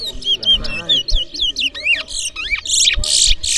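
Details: Large-billed seed-finch (twa-twa) singing in a bird race at the Berbice bird ground, New Amsterdam, Guyana: quick clear whistled down-slurred notes give way to rising swoops and dense buzzy trills, over soft low thuds.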